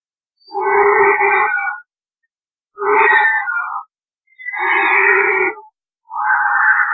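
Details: White-rumped vulture in Rajasthan, India, calling during copulation or while quarrelling at a carcass: hoarse, rasping, wheezy calls about a second long, repeated roughly every two seconds with silent gaps between them.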